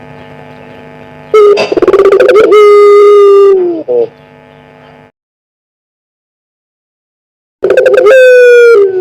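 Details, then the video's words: Collared dove of the pelung type, one year old, calling as a lure: a stuttered opening rolls into a long steady low coo that dips at the end, then near-silence before another coo begins. "Misteri Suara Burung Puter"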